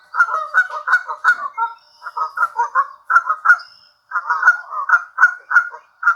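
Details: Canada goose demanding food at Sand Harbor, Lake Tahoe, Nevada, gives loud, nasal honks in quick bursts of three to five, about three per second, with brief pauses between runs.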